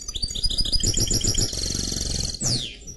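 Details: Mule hybrid of canary and goldfinch delivering a quick twittering phrase that runs into a sustained rolling trill, closed by a steep downward slur, over a low rumbling hum.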